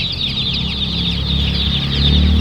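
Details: Crowd of young chicken chicks at a Raghunathpur market in Gobardanga, a steady wall of shrill overlapping peeps, with a low hum of market background beneath.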